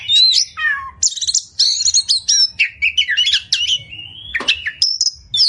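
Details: Oriental magpie-robin kept in a cage, recorded as training song with full 'tembakan' fills: sliding whistles falling and rising, buzzy stuttered trills, then a long clear note and a sharp high phrase.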